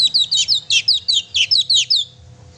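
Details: Energetic oriental magpie-robin song meant to rouse a pet magpie-robin: about ten loud, high chirping notes delivered in quick succession, each a sharp downward twitter, then silence.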